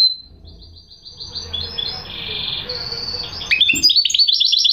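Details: Goldfinch hybrid (mule) singing: soft, high twittering phrases that grow louder after about three seconds into bright, rapid chirps and trills.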